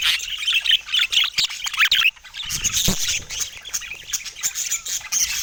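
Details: Sunny morning in San Diego with pet budgies singing: a rapid, squeaky warble of mixed chirps and rasps, briefly broken by a sharp click, then a higher, thinner twittering chatter carries on.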